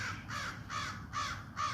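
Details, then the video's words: A crow in a backyard, in late October around a crow attack on a blue jay, gives a warning call of four harsh, rasping caws about 0.4 seconds apart over low rumble; warning of a man approaching, the recordist believes. "you can hear a crow in the backyard actually give a warning call."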